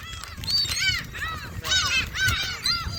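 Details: Gulls at Jebudo being fed, a flock giving arched, harmonic mewing cries that overlap in bursts roughly every half second, with wind and low rumble underneath.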